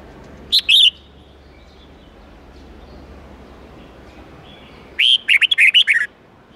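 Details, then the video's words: Red-whiskered bulbul singing a wild-forest style song of 8–10 notes, used for teaching young birds. A short two-note opening, a pause of about four seconds, then a rapid run of six lively whistled notes over faint hiss. "Luyện chào mào hót âm 8-9-10 giọng chuẩn rừng xoắn tít"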